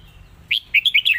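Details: Red-whiskered bulbul in the Thai 'lak wai' master song style: a rapid phrase of five clear, slurred whistles, the last notes sliding downward, over a low steady hum.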